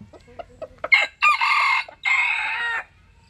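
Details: Japanese-Cuban bantam rooster crowing while basking in the sun in the Mekong region of Vietnam; a few quiet clucks, then a two-part crow, a strained first phrase and a long drawn-out final note.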